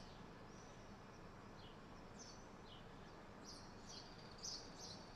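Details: Swallows chirping on a morning, flying so high overhead they stay out of sight; faint, thin, high chirps and short downward-slurred notes scattered through steady background noise, with a slightly louder cluster near the end.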